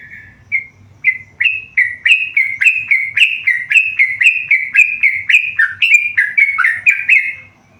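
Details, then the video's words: A tame yellow-vented bulbul sings energetically in a fast stream of bright, slurred whistled notes, many dipping in pitch, delivered almost four per second in an unbroken phrase before stopping; a soft low hum lies underneath. "burung trucukan gacor jinak"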